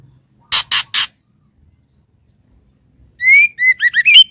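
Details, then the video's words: Three quick broadband rasping bursts, then after a pause a female white-rumped shama calls the male with a rising whistle followed by rapid, looping whistled notes. "SUARA BURUNG MURAI BATU BETINA MANGGIL JANTAN"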